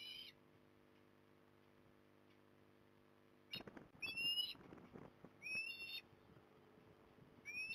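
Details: Osprey recorded at Port Lincoln, 18 December 2020, giving sharp whistled calls that rise in pitch. One call opens the recording, a quiet hum follows, then a burst of rustling and four more upslurred whistles, spaced about a second or more apart.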